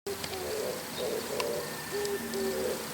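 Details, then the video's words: Oriental turtle dove calling in the morning from a house antenna, low hollow cooing phrases lifting slightly at their ends and repeating steadily, two calling bouts joined together, faint ticks and chirps behind. "キジバトの鳴き声 Oriental turtle dove"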